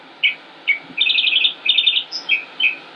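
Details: Northern mockingbird, a male in Concord, North Carolina, United States, May 2016, gives single chirps, then rapid trilled rattles twice, then a thin high whistle and more separate chirps.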